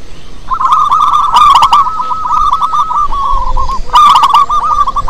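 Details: Wild local zebra dove singing as a lure for other doves: a steady stream of fast, rolling staccato coos. Two loud clatters of clicks are heard, one early and one near the end.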